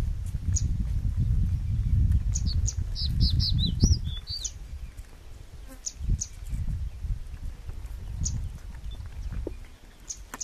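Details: Male crested bunting in Shakambhari, Rajasthan, giving a single brisk phrase of sharp, sweet notes that ends with a downward slur. Then come scattered faint high ticks over steady low rumble and noise.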